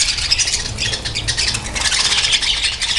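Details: Breeding colony of budgerigars, a busy overlapping stream of high twittering and rasping chirps from numerous birds, almost unbroken, with a soft low hum behind.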